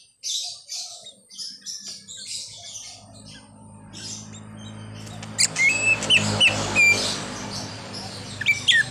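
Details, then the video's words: Greater green leafbird in full song, a varied chattering run of high chirps and twitters, then sharp whistled notes and short buzzy phrases over a low steady hum. "Cucak Ijo Full Isian_Ada Bunyi Klakson Mobilnya Juga"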